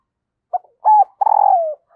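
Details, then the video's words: Female dove cooing to stimulate a male: a short soft note, then two longer hollow low coos, the last sliding down, in a quiet setting. "Tiếng Chim Cu Mái Kích Trống"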